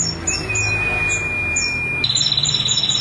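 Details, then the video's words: Female prinia in nonstop crystal-style singing: one long, steady whistled note lasting about two seconds, then a rapid, high, pulsing trill, with scattered sharp chirps above. "Masteran Prenjak Betina Kristal Nembak 22 Detik Tanpa Jeda"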